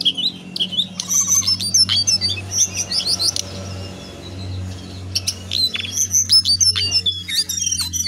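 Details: Very vocal lesser shortwing (Jongkangan) delivering a rapid stream of high, varied whistles and twitters over a steady low electrical hum, with a short quieter pause midway before the song resumes.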